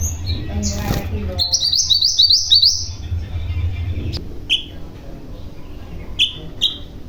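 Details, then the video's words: Mountain form of common iora (mantenan gunung) singing actively in a long rolling style with sharp shot-like notes: a fast series of high rising slurred notes, then short separate whistled calls over a steady low hum. "Burung Mantenan Gunung Gacor , Ngeroll Panjang , Tembakan Tajam"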